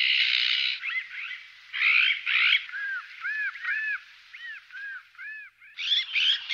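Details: Eurasian magpie sounds mixing loud, noisy rasping bursts with a series of short, arched, squeaky notes, then closing with two more harsh raspy bursts.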